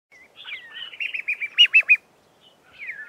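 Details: A flock of Red-faced mousebirds calling to each other from an Acacia tree at close range, trading high, clear whistles: a quick run of about eight wavering notes ending in three louder ones, then a falling whistle; they fly off at the end.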